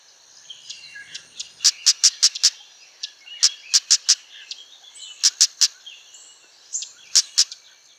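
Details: A female Amur Stonechat, a non-breeding winter visitor that seldom calls there, gives hard, clicking 'tak' notes in quick bursts of three to five with short pauses, over a faint insect hum; rice fields and marshland, Prachuap, Thailand.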